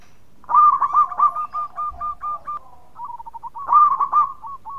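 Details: A local zebra dove (perkutut) sings loud, quick runs of soft, staccato cooing notes at a steady mid pitch, pausing briefly between bursts.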